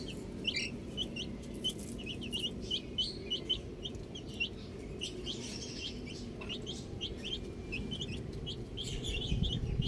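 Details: Baby chicks enjoying the outdoors produce a run of sharp, high cheeps, single or in quick pairs, spread irregularly throughout, over steady low background noise and occasional soft bumps.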